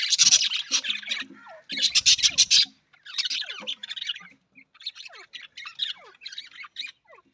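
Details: An Australian parrot, the budgie, starting with loud grating bursts of chatter, then softer twittering broken by many quick falling whistles and chirps spaced irregularly.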